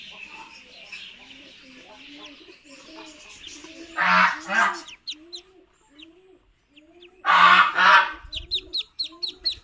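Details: Muscovy ducklings hatched in an incubator after 28 days give a steady stream of soft, short peeps, two or three a second, as two loud, harsh honking bursts break in partway through.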